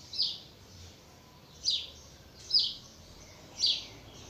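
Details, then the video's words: Double-collared seedeater giving four harsh, buzzy, high notes about one second apart in the tui-tui style, slightly distorted and set against a steady background hiss. "Coleiro Natureza Tui Tui Pensa Num Coleiro Rapido"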